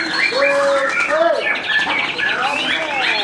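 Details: Post-moult white-rumped shama being trained, giving clear sustained whistles and a sliding upward-then-downward note, followed by fast rattling trill bursts, while other birds sing and voices murmur in the background.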